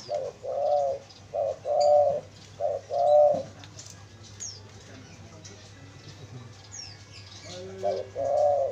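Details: Lure spotted dove for attracting wild doves: soft rounded coos grouped as short-long pairs, several in quick succession, a quiet pause with distant chirping birds, then the cooing resumes.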